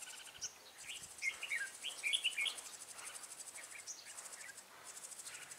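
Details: Red-whiskered bulbul at a trapping site on 14 March 2017, calling as a lure bird: a burst of short, bright, slurred whistled notes midway, over a steady high shrill insect chorus.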